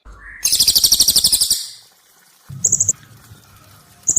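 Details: Cililin song used as training audio for competition birds: a short note, then a loud, very high rapid rattling burst of about a dozen repeated notes, followed by two brief high trills after pauses.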